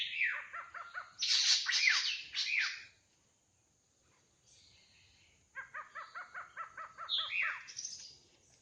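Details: Wild drongo alternating quick rattling series of short ringing notes with harsh buzzy bursts and falling whistles, with a quiet pause midway.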